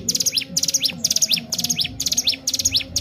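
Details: Lure-bird song of a Sunda warbler: high shimmering chatter bursts, each ending in a quick V-shaped whistled slur, repeated steadily about twice a second, with faint low background hum.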